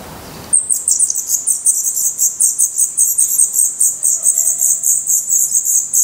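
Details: Black redstart nestlings in a nest in Portugal, eyes open and growing their adult feathers, beg in a continuous high, hissing chorus of rapid pulsed calls, about three or four a second, starting abruptly after a brief quiet.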